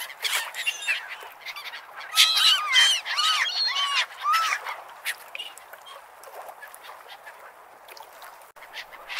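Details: Gulls calling at the beach: a loud run of arching, yelping calls rises between two and five seconds, then fades to scattered distant cries over steady surf hiss.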